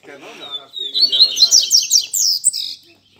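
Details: A double-collared seedeater kept in a cage at a Sunday-morning keepers' get-together delivers one quick phrase: a thin whistle sliding into rapid, high, buzzy chattering notes, with a brief murmur of voices before it.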